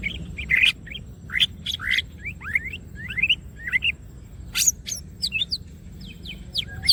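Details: Chatty greater green leafbird with spread wings: quick whistled upslurs and chirps in clusters, a loud sharp high note near the end, and a faint low hum beneath.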